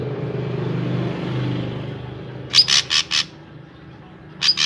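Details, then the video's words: Drongo singing as a lure for other drongos: an engine drones through the first half, then three harsh, buzzy notes in a row and, after a gap, two more. "Burung Srigunting Gacor I Ampuh Untuk Pancingan Burung Srigunting Agar Ikutan Gacor"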